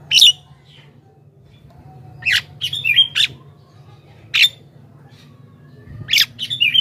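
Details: Javan myna singing in a full, lively style used to lure wild mynas: harsh squawking bursts with short whistled notes, in clusters separated by gaps of one to two seconds, over a steady low hum.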